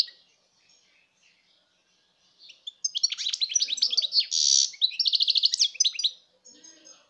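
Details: 2019 recording of a European goldfinch singing: quiet start, then an energetic cascade of high tinkling twitters, a harsh buzzy note and rapid rattling trills, trailing off into faint notes.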